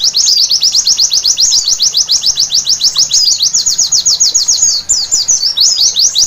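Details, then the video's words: White-eye singing at night, played as therapy to make birds sing freely; an unbroken stream of high, thin chirps and quick up-and-down sweeping notes, about three to four per second, dense and lively throughout with no pauses. "Terapi Pleci Malam Hari Bikin Gacor seketika"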